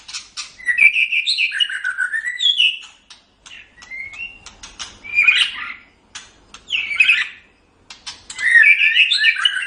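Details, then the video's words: Training recording of white-rumped shama song for cage birds: loud bursts of warbling whistles and buzzy notes, separated by short silences, with sharp ticking sounds between phrases. "Suara Burung Murai Batu"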